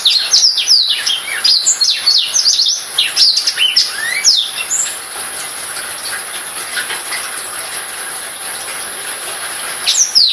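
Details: Black-throated canary giving a burst of fast, high twittering song with falling whistles, then a quieter stretch of faint hiss before a final short phrase.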